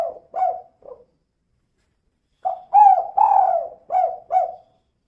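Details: Spotted dove hen calling repeatedly, 'kuk 2' style, as a lure to make other birds sing; a few faint short coos, a pause, then a louder phrase of five coos with two long middle notes.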